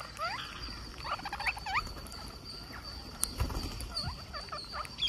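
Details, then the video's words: A pet Indian green parakeet at feeding time gives rapid bursts of short, scratchy, rising chirps in irregular clusters, over a steady thin high whine and light background noise. "Green Parakeet Feeding"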